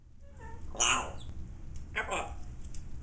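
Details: A six-month-old male African grey parrot learning to talk babbles speech-like sounds: a few short rising squeaks, then two breathy, word-like bursts about a second apart, with a faint room hum.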